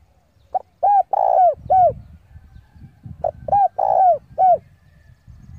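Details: Spotted dove decoy calling rivals in to fight sings two matching coo phrases, each a short note, rounded coos and one long drawn coo, over low rumbling background noise.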